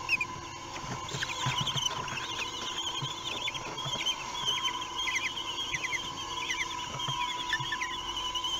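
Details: Common kestrel chicks, three weeks old, at mealtime in Théding, France, on 8 June 2021: many short, thin, wavering squeals repeated rapidly and overlapping throughout, with a steady electrical hum and soft rustling below.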